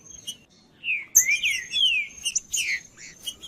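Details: Green-winged saltator song for warming up a cold bird. A short burst of bright, falling whistled notes starts after a pause, with scattered clicks and a steady high-pitched hum throughout.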